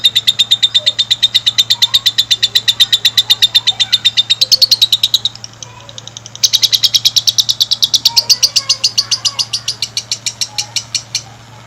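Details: Lovebird giving a long master song meant to stimulate other lovebirds to sing long: a fast train of sharp, high chattering notes, briefly pausing near the middle, then resuming in a rapid, even stream before tailing off.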